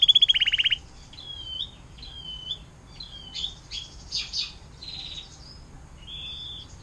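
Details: Canary water-fountain song used for tutoring songbirds: a brief loud rattling trill, followed by softer scattered chirps, whistles and short twittered notes.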